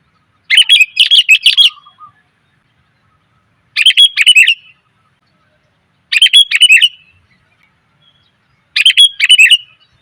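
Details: Female sooty-headed bulbul calling for males, used as a lure: four rapid clusters of sharp chirps, each about a second long and repeated every two to three seconds, in near silence.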